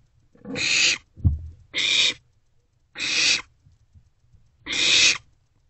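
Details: Owlet in a nest box after midnight on 27 March 2024, fed a vole by a parent owl: four long raspy hissing screeches spaced about a second apart, with a brief low thump between the first two.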